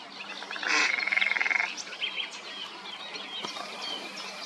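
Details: Mallard; call; female calling to her mate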